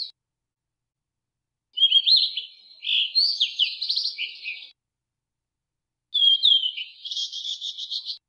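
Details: Blue-and-white flycatcher singing two phrases separated by a pause: each opens with clear high whistles, then runs into a rapid warbled, slightly buzzy trill; no other sounds.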